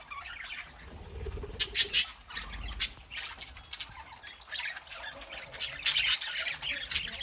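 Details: Pet parakeets chattering on a Saturday morning, a soft warbling background broken by loud clustered squawks around the second mark and again near the end.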